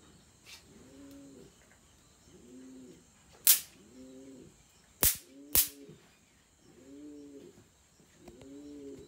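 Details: Caged Pomeranian pouter pigeon in a breeding cage at a fancy pigeon farm, cooing: low, arched, rolling coos repeated about every one and a half seconds, broken by three sharp, loud clicks or bangs.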